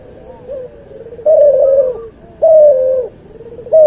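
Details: Cuhu hybrid dove, from a white albino puter and puter pelung cross, for training: faint low murmurs, then two loud level coos about a second apart, with a third beginning at the end.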